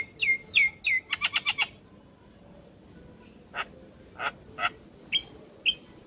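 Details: Black-winged starling song, full of varied phrases, meant for teaching young birds: three clear downslurred whistles, a quick burst of harsh rattling notes, then sparse scattered chips and short whistles.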